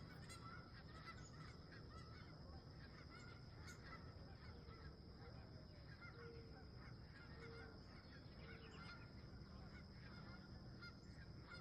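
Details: Wild geese at dawn near a campsite, a softer, more distant flock honking continuously beneath a strong low rumble, with a few clearer calls near the start.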